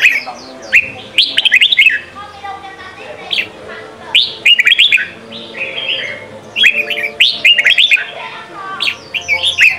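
Red-whiskered bulbul singing bright, bubbly whistled phrases of quick rising and falling notes, bursts coming every few seconds, with a faint low hum behind.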